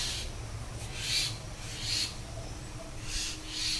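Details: Young common myna chicks, three together, in India, producing rough hissing rasps in a loose rhythm of about one per second, with a faint low background hum.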